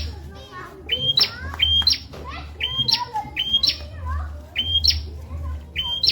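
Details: Bar-winged prinia recorded as a tutor for captive magpie-robins and leafbirds: repeated high whistles, each rising abruptly at the end, delivered in pairs and runs, with faint lower chirps and a steady background hum.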